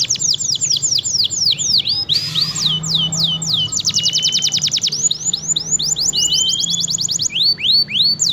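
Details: Persistently singing F1 canary meant as a tutor for other birds: rapid runs of down-slurred whistles broken by a short noisy burst, a fast buzzy trill, then more sweeping notes.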